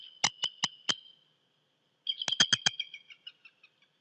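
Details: Bald eagle pair, male and female, at their Decorah nest at 6:26 AM CST on 26 January 2018, checking the nest and mating. Two bursts of sharp, rapid, high piping notes, four then four or five, fading into scattered weaker notes.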